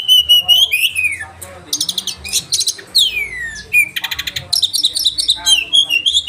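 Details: Sharp-voiced oriental magpie-robin 'roll tembakan' song for caged-bird training: a bright whistle, rapid chattering trills, long descending slurred whistles and dense buzzy rattles alternating in quick succession.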